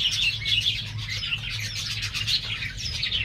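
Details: Star finch fledglings of a pure line, bred in 2021, just out of the nest: dense, overlapping thin high chirps and tweets run without pause, several birds calling at once over a steady low hum.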